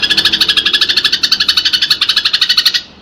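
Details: Fighting house sparrow, used as a master call for pet birds: quick repeated chirps, about seven a second, stopping abruptly just before the end.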